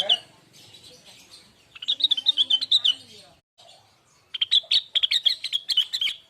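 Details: Lesser green leafbird singing as a lure to set other birds singing: after a soft, murmured start, a run of bright, clipped chirps gives way to a quick, dense twittering phrase, high and staccato.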